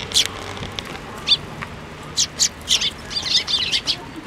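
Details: Juvenile Eurasian tree sparrows arriving in a plum tree at a shrine to be fed, 25 May 2024: insistent high chirps, sparse at first, then a rapid, busy run of calls toward the end.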